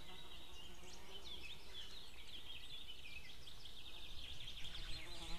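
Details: White-tailed eagles calling outdoors on 2 May 2016 around midday, a female calling with a male answering from afar: dense rapid series of short, high, slightly descending yelping notes over steady low rumbling background noise.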